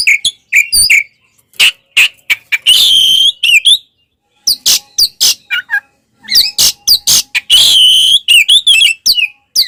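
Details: Oriental magpie-robin fighting song intended to provoke other birds: loud varied phrases of sharp chirps, harsh rattles and whistled slurs, broken by short pauses, with a faint steady hum in places.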